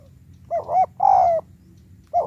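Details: High-pitched spotted dove lure call in the 'tiểu cườm' style, meant to challenge wild doves: one full phrase of a double hooked coo and a drawn-out falling note, then the next phrase beginning.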